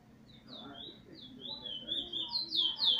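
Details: Chestnut-bellied seed finch (Trini bullfinch), a very wild plain brown bird with no spot, recorded 11 January 2020, singing weet teeture with a roll: clear whistled notes sliding up and down, climbing higher and louder toward the end over a low hum.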